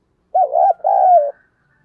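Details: Decoy spotted dove calling to excite wild doves into cooing; one smooth phrase of a rippling short note and a longer steady note that sinks at its end, with no other sounds.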